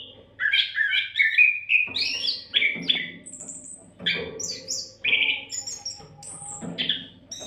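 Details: Oriental magpie-robin song played without a break as a tutor for songbirds; a run of rising and falling whistles, then scattered harsh notes and very high thin squeaks.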